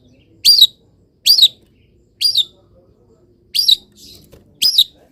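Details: Caged long-tailed shrike singing after misting and exposure to morning sun; five bright, sharply inflected high notes spaced about a second apart, separated by near silence.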